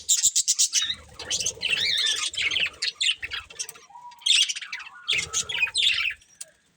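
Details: Colourful budgerigars of a breeding pair chirping: bursts of sharp, high warbled chirps and squeaky trills, broken by short pauses, with brief lower chatter between bursts.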